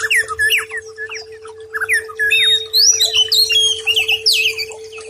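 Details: Training recording of White-rumped shama for stressed birds: dense, continuous, varied song of rising and falling whistles, sharp chips and rapid slurred phrases, with a steady background hum throughout.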